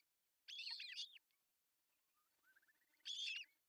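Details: Osprey at an artificial nest in Pohjois Satakunta, Finland, on June 10, 2024, as the male brings a big fish for breakfast; two bursts of harsh, arched whistled chirps separated by a faint, thin rising whistle.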